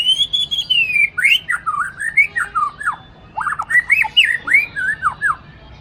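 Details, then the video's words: Loud caged Aceh white-rumped shama from a breeding farm, noted for quickly copying master recordings. The song opens with a long wavering whistle, then runs into rapid looping, up-and-down whistled notes, a brief pause and another lively burst. "Murai Batu Aceh"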